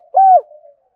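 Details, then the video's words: Single deep, hollow coo from a spotted dove kept as a decoy to call in other doves, held level and briefly dropping at its end, followed by a faint low trailing hum. "Tiếng chim cu gáy mồi gáy gọi vang cả xóm làng"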